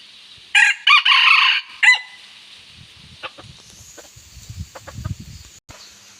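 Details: Pet bantam rooster urged by its owner to crow gives one loud, harsh, high crow broken into a few quick bursts, followed by a man's low voice and handclaps.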